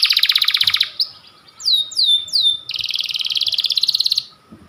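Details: Panda-type white canary singing hard and long: a rapid pulsed trill, a sharp chip, three sweeping downslurred whistles, then another long fast trill of evenly repeated notes lasting over a second.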